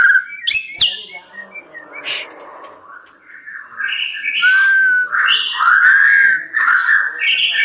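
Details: White-rumped shama in captive breeding, loud varied song of clear whistles, rising and falling slurred notes and rich warbled phrases, with sharp clicks and scratchy sounds between them.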